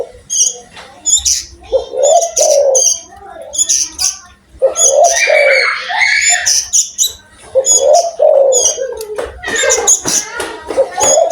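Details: Spotted dove noted for its strong voice, cooing in low mellow phrases roughly every few seconds amid a busy chorus of sharp, high chirps and twitters from other birds.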